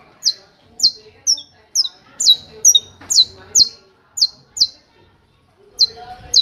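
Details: Saffron finch in hammer-style song: crisp high downslurred notes struck in quick succession, a brief pause, then the series resumes near the end over faint background noise.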